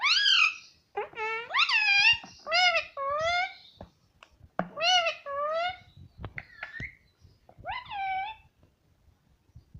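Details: Pet parrot talking indoors, producing a rapid run of harmonic, voice-like syllables, many arching up then down in pitch, grouped in short bursts across nearly nine seconds, with a pause near four seconds and soft clicks between phrases.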